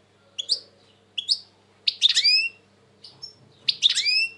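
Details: Goldfinch phrases in a quiet room: short sharp chirps spaced about a second apart, then fuller twittering bursts of bright, downward-sweeping liquid notes, with pauses between.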